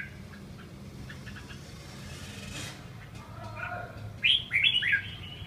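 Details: A prize-winning eight-season Red-whiskered bulbul, lively and refusing to bathe, gives a quick burst of three or four bright, chirpy notes near the end, over a low steady rumble and faint earlier chirps.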